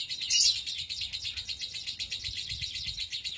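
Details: Lovebird in extended ngekek song, sought for contests and for teaching other songbirds, pouring out a fast, unbroken high chattering trill that opens with a loud burst and keeps an even pulsing rhythm.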